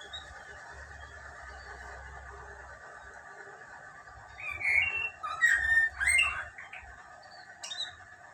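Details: Female lesser racket-tailed drongo kept in a cage sings its wild ngalas song after a quiet start, a lively cluster of clear whistles, slurs and chattering notes, followed by one sharp high note near the end.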